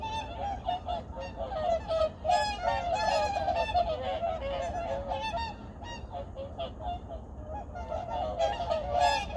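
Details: Migratory birds of several kinds calling at dawn on Junam Reservoir, Changwon, 2019: honks tumble over each other about three times a second, irregular and overlapping, forming a constant flock din.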